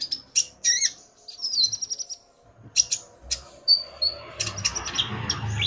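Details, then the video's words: Common iora male and female calling back and forth, the male stirred by the female: separate sharp whistles and clicks spaced irregularly, over a low rumbling background noise. "Burung Konin Pancingan EMOSI agar burung bahan gacor"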